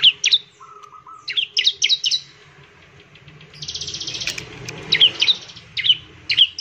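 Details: Bar-winged prinia song meant to trigger other birds' singing: scattered sharp high chirps, a low rattling series, and a dense buzzy trill in the middle before more chirps.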